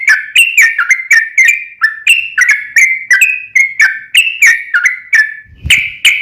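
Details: Sooty-headed bulbul lure song for a caged bird: continuous run of loud whistled notes with sharp attacks, alternating rising and falling, ending with a low knock.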